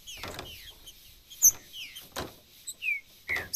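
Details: Piado and macheado song of a Green-winged saltator for stimulating a pet bird: a few spaced, clear whistles gliding downward, broken by clicks and knocking sounds.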